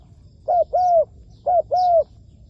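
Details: Decoy spotted dove in a trapping setting, giving two clear paired coos: a brief note, then a longer, smooth, slightly falling coo. Faint high bird chirps are heard in the distance.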